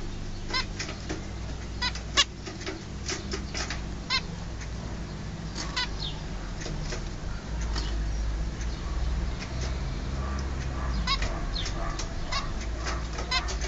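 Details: Two baby zebra finches, caged and ready to leave their birth cage, call repeatedly with brief buzzy, nasal notes in loose bursts, set against a constant low droning hum.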